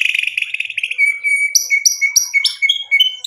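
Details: White-rumped shama singing as a lure: a buzzy trill fading into a thin steady whistle, punctuated by four sharp high chips about every third of a second, then short whistled notes.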